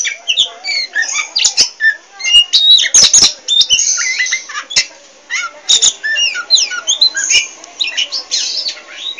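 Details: Poci Oriental magpie-robin singing busily and without stopping, mixing varied slurred whistles, squeaks and hard clicks in quick irregular succession, some wing-flutter-like sounds mid-phrase.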